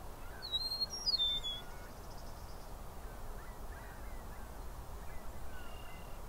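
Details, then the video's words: Eastern meadowlark singing in Southern Ontario, Canada, giving one clear, slurred whistled phrase that drops in steps. A faint buzz and quiet distant notes follow against steady low background noise. "Eastern Meadowlark Calls/singing"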